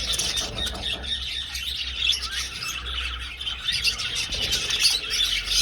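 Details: Flock of budgies flying through an old aviary, giving busy, rapid high-pitched chirping and chattering from many birds, over a faint low hum.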